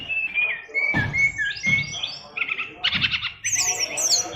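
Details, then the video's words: Song of an SRDC Bali oriental magpie-robin packed with imitated phrases ('isian luber'): level sustained whistles, then buzzy chattering notes and rapid very high trills toward the end. "SRDC Fighter isian luber"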